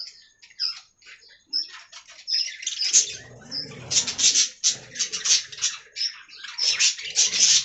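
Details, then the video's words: Budgerigar colony in an aviary: sparse high chirps at first, then a thick run of rapid, repeated sharp tweets and warbled chatter from many birds. "Budgie Talking"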